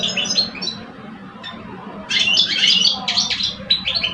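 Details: Two caged male European goldfinches in a singing contest in Algeria, one mature and one young bird about two years old: bright, rapid twittering and chirping phrases, getting louder midway, over a low steady hum.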